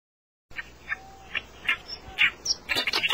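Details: Song of a reed warbler: spaced harsh notes repeated about every half second, quickening into a dense, grating chatter at the close.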